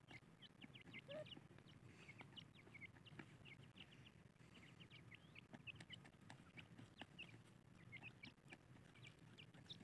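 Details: A group of female Iranian francolins keeps up a busy chatter of short, high chirps and squeaks, several birds overlapping, over a steady low rumbling hum.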